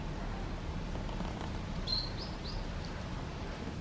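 White-rumped munia giving four thin, high chirps in quick succession, about three per second, over steady low rumbling background noise.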